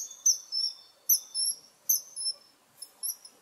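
A kingfisher gives shrill, very high whistled notes, some doubled, repeated about once a second against an otherwise quiet background.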